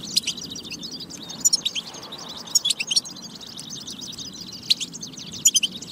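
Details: Singing European goldfinch, played to spur goldfinches to sing: bursts of quick high twitters and tinkling notes, with sharp louder chirps around the second, third and fifth seconds and quieter gaps between, over a faint hum.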